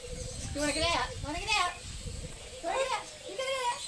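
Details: A talking corella at Silverton, New South Wales, on 25 June 2010, mimics human speech in four short, wavering, nasal bursts, each under a second, with steady outdoor hiss behind.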